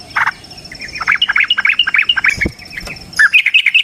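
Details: Long fighting song from a sooty-headed bulbul, used to draw other bulbuls into song: a harsh opening note, then a rapid string of bright chirping whistles, with a low thump midway.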